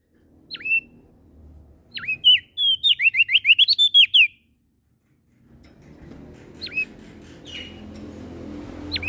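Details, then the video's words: Prinia (prenjak daun) from Lombok, NTB, a persistent singer morning, noon and night. A few isolated upswept call notes lead into a fast burst of repeated slurred whistles. After a pause comes a low rumbling background with scattered call notes. "Prenjak Daun NTB Gacor PAgi SIang MAlam Tetap Rajin Bunyi"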